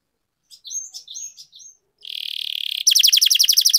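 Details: Canary song used to get quiet canaries singing: a few scattered chirps, then a continuous harsh buzzing trill, switching abruptly to a loud rapid rolling series of high notes.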